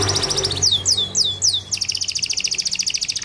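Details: Domestic canary song meant to stimulate other canaries to sing: fast trill of high notes, then four sweeping downward whistles, then a rapid buzzy rattle of repeated notes, with a faint low hum beneath.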